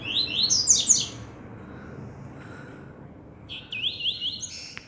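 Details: Double-collared seedeaters in a singing contest: a fast burst of high, sweeping whistled notes tumbling downward, a pause of about two seconds, then a second burst of rapid, evenly repeated, rising-falling high notes.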